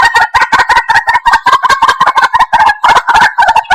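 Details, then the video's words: Harsh, throaty chatter of white-breasted waterhen calls broadcast to attract birds for trapping, rapid overlapping notes with a rough grating quality, loud and unceasing. "Jal Murgi Ki Sound |Jal Murgi Call Voice | Ban Murgi Ki Awaaz"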